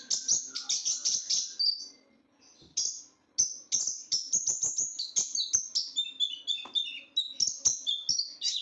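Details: Small blue, black and gold sunbird, known as ninja bird or konin, collected for its shrill, loud song: rapid high twittering bursts and squeaky slurs, a short pause near two seconds, then a busier run of thin chattering notes and sharp clicks.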